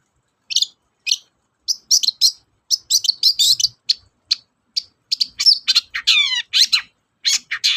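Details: Long-tailed shrike song for coaxing reluctant shrikes to sing: a busy, varied stream of sharp chips and scratchy notes that grows denser, with a brief descending whistled slur near the end.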